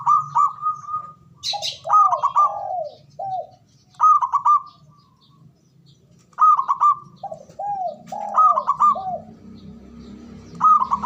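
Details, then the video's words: Zebra dove male repeating the ngoar manggung call that stimulates mating arousal: phrases every two to three seconds, each a stuttering trilled opening followed by several soft falling coos, over a faint low rumble. "SUARANYA🔊 PALING DI CARI UNTUK PENDONGRAK BIRAHI & EMOSI❗NGOAR MANGGUNG"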